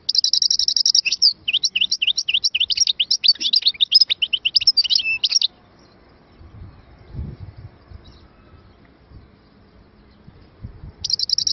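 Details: Algerian goldfinch from Moknine, 2022, delivers about five seconds of fast, jangling high twitters and trills, then falls silent amid faint low rumbling before another burst of song resumes at the end.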